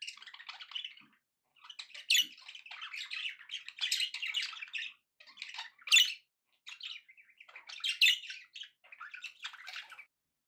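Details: Budgerigars kept as pets giving happy chatter: long runs of buzzy, scratchy warbling with sharp high squeaks mixed in, about half a minute's pace of bursts separated by brief gaps.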